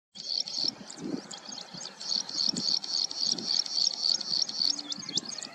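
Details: Plain prinia at Chandlai lake, Shivdaspura, Rajasthan, India, on 22 July 2020, giving a rapid, buzzy, high-pitched series of repeated notes, with black francolin and rain quail calling in the background.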